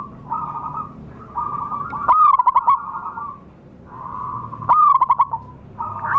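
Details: Local wild zebra dove lure sound: two loud phrases of quick staccato coos that drop slightly in pitch, with fainter continuous cooing from more doves around them.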